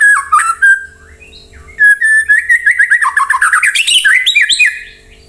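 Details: White-rumped shama singing a lure song meant to make other birds reply and sing: a loud, fast stream of rich whistled notes that climbs and tumbles in pitch, with brief high chips between phrases.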